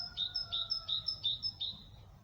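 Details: In a vegetable garden where goldfinches are nesting, a tit (chickadee) repeats a high two-note phrase, a thin upper note dropping to a lower one, five times in about two seconds over a faint low hum.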